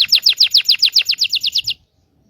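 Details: Indonesian local canary song used to prompt silent birds and teach young canaries: a fast run of about twelve bright, evenly spaced descending whistled notes lasting under two seconds, then silence.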